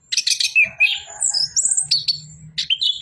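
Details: Orange-headed thrush singing a lively jumble of high, chattering notes that ends in clear rising and falling whistles, phrases tumbling into each other with almost no gaps.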